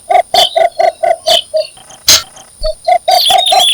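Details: Cinnamon bittern calling to attract a mate: several evenly spaced, hollow clucking notes, a short gap, then more clucks; bright chirps from other birds sound alongside.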